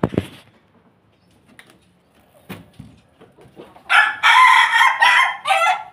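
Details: A crossbred Pelung–Bangkok cock is quiet at first with faint clucks, then gives a loud crow broken into several pulsing segments over roughly two seconds.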